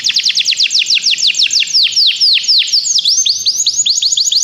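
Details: Canary song played to encourage another canary to sing: loud, fast series of descending whistled sweeps repeated several times a second, shifting into varied trilled phrases, with no other clear sounds.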